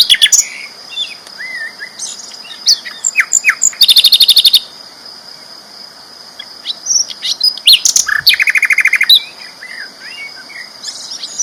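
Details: Loud, clear singing from a sikatan londo flycatcher, a prize songbird: scattered whistles and upslurs broken by two intense, very fast rattling trills near 4 and 8 seconds, with a steady thin whine throughout.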